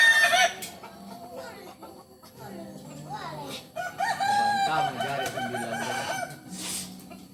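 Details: Kukuak Balenggek rooster from Solok crowing at moderate distance: a wavering, multi-stepped crow of nearly three seconds in the middle, with quieter clucks and scattered background noises around it.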